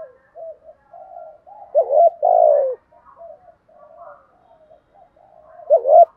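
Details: Set-pattern spotted dove cooing used to excite a captive bird into calling: quiet, low murmuring coos lead into a loud, drawn-out throaty phrase, then softer notes and another strong burst at the close.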